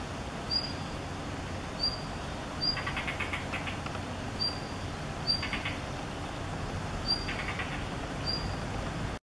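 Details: A female blue rock thrush bringing food to her fledgling in an apartment corridor on 16 May 2021 gives alarm calls at a nearby person: short, high, sharp notes about once a second with rougher bursts, over low rumble.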